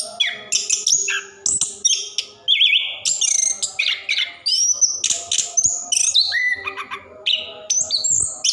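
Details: Orange-headed thrush singing nonstop in the rolling style meant to coax silent caged birds into song: dense chains of sharp chirps, pure falling whistles and harsh buzzy bursts, delivered quickly with brief gaps.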